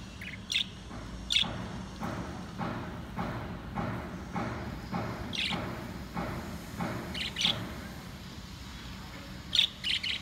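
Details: Four pet lovebirds kept at home, playing, eating and fighting together; short high chirps spaced irregularly, a few louder bright notes standing out over a steady low background hum.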